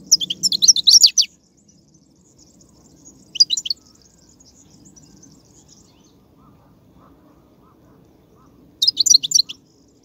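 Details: Wild European goldfinch batbata twitter from 2019: three separate bursts of rapid, tinkling high chirps, the first and last about half a second long, with a soft high hiss and low rumble between them.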